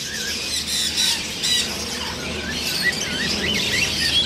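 Macaws give harsh, grating squawks and shorter chattering notes that overlap continuously, as if several birds are calling at once.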